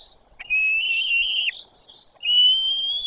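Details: White-tailed eagles at a nest in Bory Tucholskie as a parent arrives; two long, high, thin whistles, the first held steady and falling off at its end, the second rising gently.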